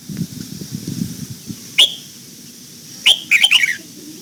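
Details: Red-whiskered bulbul singing during morning voice training for the old-forest double note; one sharp whistled note, a pause, then a rapid phrase of several clear notes sliding downward, after a stretch of low rumbling background.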